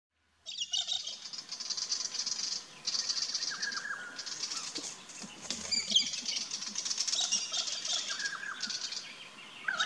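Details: Galahs in an Australian backyard garden giving harsh, raspy screeches in dense, overlapping bursts, with thin chirps from smaller birds mixed in.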